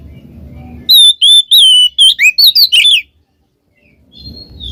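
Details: White-rumped shama singing loudly, cackling, used to prompt a reluctant shama: a burst of fast, varied whistled notes sweeping up and down over two seconds, framed by low background rumble.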